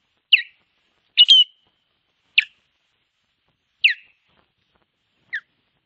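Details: An osprey at a Finnish nest on 21 April 2023 gives five sharp, high, down-slurred whistled notes, about one every second, while defending its nest from an intruding osprey; no other sounds.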